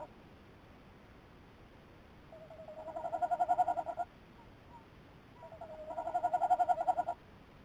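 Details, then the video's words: Tawny owl recorded by camera 2 on 17 December 2018: two separate bursts of rapidly pulsed, low quavering notes, each swelling in loudness over about two seconds, with quiet gaps between. "Tawny calling"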